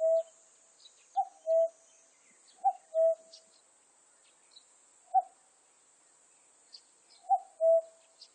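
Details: Common cuckoo giving its mellow two-note cu-coo, a brief higher note then a held lower note. Three full pairs come at uneven intervals, with a few single notes between them and faint high chirps behind.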